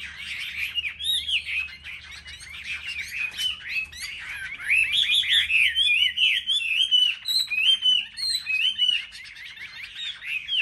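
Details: Chinese hwamei in a duel of song, caged and selected for market in Vietnam: rapid, varied whistled phrases tumble along, growing into a loud string of sharp, quickly repeated notes, with a soft background hum.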